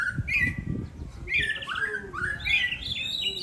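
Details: Brief burst of competition song from two dueling songbirds: a trilled phrase, then sliding whistles that rise and fall over faint low background sounds.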